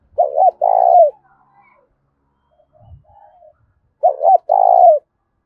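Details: Loud, ringing challenge coos of a spotted dove urging a fight: two phrases, each two short hooked notes followed by a drawn-out vibrating coo, with a soft low thump and faint murmur in the gap.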